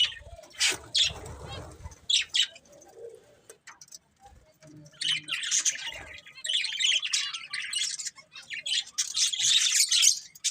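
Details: Budgerigars chirping while eating, starting with scattered sharp chirps and low thumps, then a loud continuous warbling chatter building in the second half.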